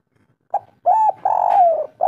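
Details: Spotted dove of local stock in kuk 3 song, meant as a lure for other doves: a short soft coo, a pause, then a steady hollow note and a long rolling coo that slowly falls.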